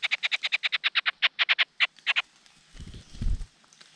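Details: Large Niltava chicks begging during feeding by their father: quick sequence of rasping notes slowing and stopping, followed by a couple of low dull thumps.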